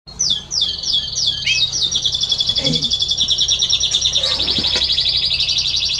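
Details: Spanish Timbrado canary singing, recorded 30 May 2017: a few quick descending slurred notes open into a long, loud, continuous metallic rolling trill at high pitch, evenly pulsed for several seconds, with slight shifts in pitch.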